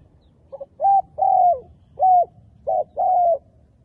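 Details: Spotted dove used as a decoy, calling to lure wild spotted doves for trapping; clear mid-pitched coos: a short soft note, then a series of smooth, slightly falling coos, some long and drawn out, with quiet background.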